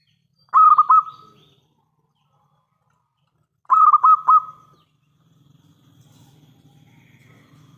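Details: Zebra dove of local stock, an active singer played as a lure for other doves: two short trilled coo phrases three seconds apart, then a faint low rumble of background noise.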